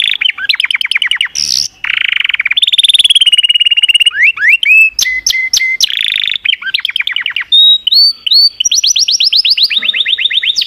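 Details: Canary singing continuously: fast trills, rolling buzzy tours, sharp up-swept notes and a closing series of rapid high whistled sweeps, all loud and clear with no other sounds.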